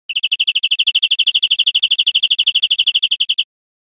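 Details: A European Greenfinch in Spain, 2013, sings a fast, even trill of bright, mid-high notes, about ten per second for over three seconds, with no other sounds.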